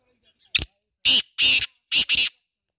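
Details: Female black francolin calling: a short harsh note, then two longer grating, buzzy notes and a quick closing double note, all loud and rasping against a silent background.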